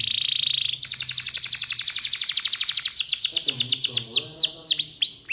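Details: Canary in full, continuous song with an elaborate melody: a steady tone gives way to a long fast series of falling whistled strokes that slow into wider swooping notes.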